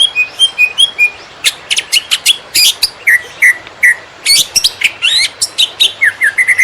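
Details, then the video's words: Konslet greater green leafbird used to train field birds: soft whistles open into loud sharp chips and slurred rising whistles, delivered in irregular quick bursts with short gaps. "Cucak Ijo Konslet Tiada Lawan! Masteran Super Hot Buat Cetak Burung Lapangan"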